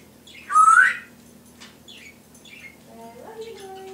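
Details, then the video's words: Pet Timneh African grey parrot indoors imitating household sounds, including a pet poodle, a guinea pig, whistles, laughter, alarm pad beeps and a cat: a loud harsh rising squawk, then short whistled notes and soft wavering tones. "African Grey: twenty sounds"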